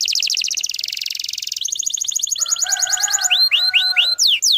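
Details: Canary song used to bring young canaries into song: fast buzzy trills, a lower warble, then repeated looping whistled notes dropping in pitch.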